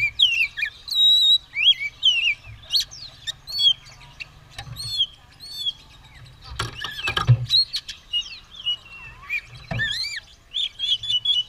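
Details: White-rumped shama (kacer) set to fight with its tail fanned, singing varied whistles and chirping trills in bursts, interrupted by low rattling knocks in the middle and near the end.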